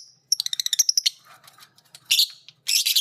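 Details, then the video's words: Violet green and pied lovebirds learning ngekek while their master sounds: a fast rattling string of high chirps, soft twittering, then loud harsh buzzy chatter bursts. "Burung Lovebird biola green vs Lovebird PB Piet❗saling belajar ngekek denger masternya bunyi."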